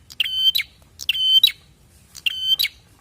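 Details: Lure recording of a prinia meant to provoke wild prinias to answer: three short buzzy notes on one level pitch, each opening and closing with a crisp tick, spaced roughly a second apart.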